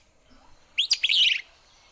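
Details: Willow flycatcher, a rarer migratory Empidonax at Laguna de Sonso near Buga, Valle del Cauca, Colombia. One short, sharp two-part phrase: a clipped high note, then a burry slurred note, lasting under a second over faint hiss.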